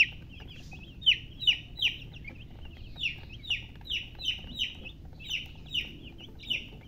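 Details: High, falling peeps from baby chickens, about fourteen chirps in irregular succession, some run close together, over a soft low background hum.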